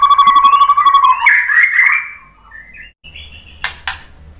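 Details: White-rumped shama lure song meant to make other shamas answer and sing: a steady clear whistle with a rich overtone, sliding into a higher rough warble, then a faint soft note and two sharp clicks.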